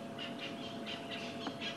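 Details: Francolin calling at sunset on 27 January 2016 in Sabi Sand, not an alarm call: harsh, scratchy, rough mid-high notes about four a second over a steady low hum, amid other birds calling.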